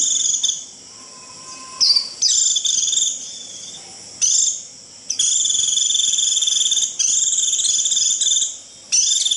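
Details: Japanese white-eye 'rít' call meant to summon the flock: high, sizzling, pulsed trills of varying length, starting with short bursts and settling into longer buzzes, plus a soft lower whistle near the start.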